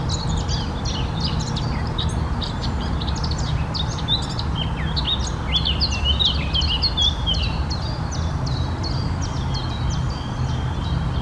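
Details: Eurasian blackcap singing: a rapid chatter of high, sharp notes rises into a lower, fluty warble midway, over a steady low rumble of background noise.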